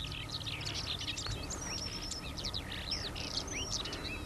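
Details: Skylark song, Eurasian species, a dense rapid stream of high chirps, twitters and whistled slurs running without pause, with traffic noise rumbling faintly underneath.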